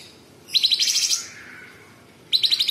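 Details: Sooty-headed bulbul in full song with a fast, pulsing, buzzy trill of about ten beats. It fades into a thin drawn-out tone, and a second stuttering trill begins near the end.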